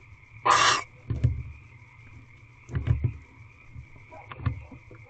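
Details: Female barn owl eating a rodent from her mate inside an owl box at 6:44 pm, 1 March 2023; a single harsh hissing burst opens, followed by soft dull thumps and scraping from movement, under a steady hum.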